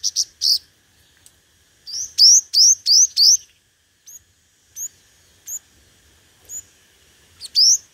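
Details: Competitive singing by a decoy 'hút mật 5 màu' sunbird used for speaker trapping: a few sharp, high, rising whistles in a quick group of four, then isolated thin chips and a closing upslur.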